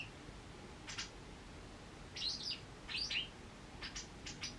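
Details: Wild white wagtail with a leg injury, watched over rather than taken in while it recovers: two or three quick, high, twisting chirps in close succession, framed by brief crisp clicks and a faint steady hiss.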